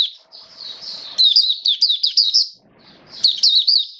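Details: Oriental white-eye singing during wet rainy weather, a hobby bird on an adjusted diet, 29 September 2022: a rapid warbling stream of high sweet chirps, pausing briefly before resuming, soft background rustle.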